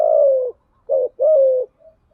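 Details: Decoy cooing of a spotted dove used to lure birds. A long, smooth, descending coo, a brief clipped note, then another drawn-out falling coo, all low and mellow with no other sounds.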